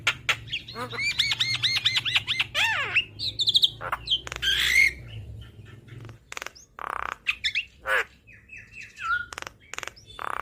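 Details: Javan myna in full song for training cage birds: a rapid string of arched whistled notes, downslurs, then scattered clicks and harsh squawks.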